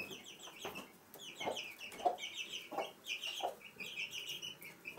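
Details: A hen with her chicks in a room of a house in Sandoval de la Reina in April 2016 gives low, soft clucks about once a second over a constant chorus of high, thin chick peeps.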